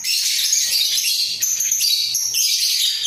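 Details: Budgerigar pair in a breeding cage sings while nodding their heads, producing a steady, high, buzzy chatter with squeaky whistled notes running without pause.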